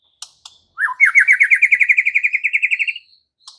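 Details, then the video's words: White-rumped shama singing gacor in answer to another shama: after a few soft clicks, one rapid trill of about twenty fast repeated notes climbs steadily upward over two seconds. "murai batu NYAUT GACOR dan BONGKAR Muatan dengan Kicau murai ini"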